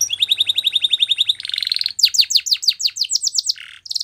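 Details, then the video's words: Canary song for training, Spanish Timbrado style, opening with about fifteen quick rising chips, a brief buzzy roll, then loud steep downslurred notes repeated about six times a second and a final trill. "Canary singing Bird Sounds At Its Best | Melodies Canary Bird Song"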